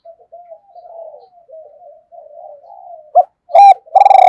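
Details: Decoy spotted dove kept as a caller, urged to coo fast: a long run of soft murmured coos, then three abrupt, loud, rounded coos near the end, the last one rich and pulsing.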